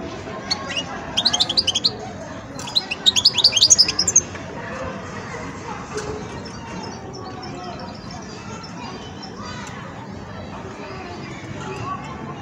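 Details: Goldfinch youngster in its song-learning phase gives two short bursts of rapid, high tinkling twitters in the first four seconds, then only faint, scattered chirps over steady background noise.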